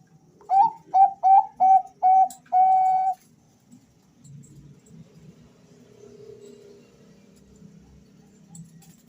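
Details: Two male Bangkok-type zebra doves answering each other; a fast run of five short whistled coos ends in a longer held note, followed by several seconds of low room noise and faint murmuring.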